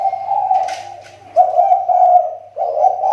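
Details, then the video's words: Captive lure spotted dove from the Riau Islands whose voice is improving again: a steady low coo, then two more throaty, burry coos in quick succession, with a soft background hum. "SUARA TEKUKUR PIKAT"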